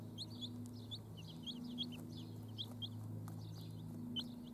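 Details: Chicks with their mother hens give quick, high-pitched peeps in loose clusters throughout, over a constant low droning hum.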